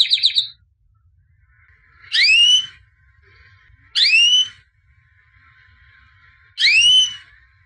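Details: Albino white canary, a 2017 champion, singing: a short trill, then three loud rising whistled notes, each sweeping upward with high overtones, spaced about two seconds apart.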